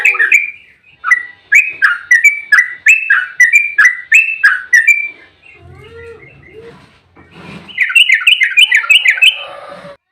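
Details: Fighting song of an agitated yellow-vented bulbul, a lure to get bulbuls singing: a steady series of separate liquid, slurred phrases, a quieter stretch with faint other sounds, then a rapid rolling run.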